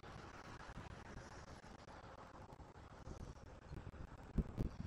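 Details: Steady outdoor wind rumble fills the recording, with a couple of brief low thumps near the end and no animal voice.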